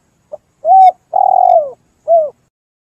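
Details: Spotted dove lure call played to draw doves in while hunting: a brief soft note, a steady mellow coo, a longer wavering coo sliding down at its end, then a final short coo.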